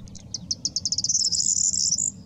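A corn bunting sings a brief, high, jangling phrase: ticking notes speed up into a dry, fizzing trill, like shaken keys, over a faint low rumble.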